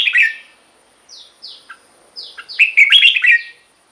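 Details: Red-whiskered bulbul song used to rouse caged birds: an opening warble, then a few thin descending whistles, ending in a loud run of rich, bubbling whistled notes.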